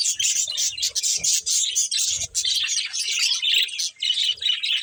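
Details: Playing budgies deliver a bright, fast run of warbled chirps and scratchy notes in closely spaced bursts, with soft low bumps at times.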